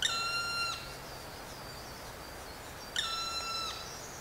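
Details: A black woodpecker in spring forest gives two long, plaintive, nasal calls, its identifying cry, about three seconds apart, each drawn out and dropping slightly at the end, over quiet forest background.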